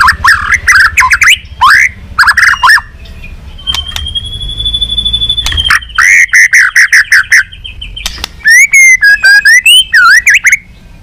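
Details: Balak 6 song of the white-rumped shama (murai batu), used to lure birds: bursts of rapid varied whistles, a long steady high whistled note held for several seconds, then fast twittering phrases and looping slurs.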